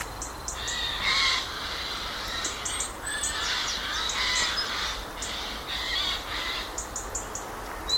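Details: Shy, retiring Eurasian Jay in Portugal, heard in woods giving alarm cries: a run of rough, hoarse screeches repeated irregularly through the clip, with short high-pitched chirps from other birds between them.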